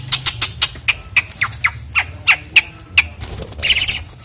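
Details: Asian pied starling (jalak suren) singing loudly while being bathed; a run of short, sharp whistled notes about every quarter second, ending in a brief harsh, buzzy phrase, over a low background hum.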